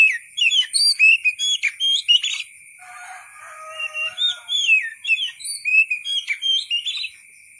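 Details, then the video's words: Oriental magpie-robin singing a varied run of rich whistled phrases, sliding up and down and changing every half second, with a short quieter twittering break midway; a steady high-pitched whine continues throughout. "KICAU BURUNG KACER SUARA ASLI"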